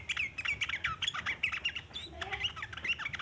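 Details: Sooty-headed bulbul giving a long chattering song, used as a lure for other bulbuls: rapid run of short sharp notes and chirps, dense and continuous, with a few lower fluting notes near the end.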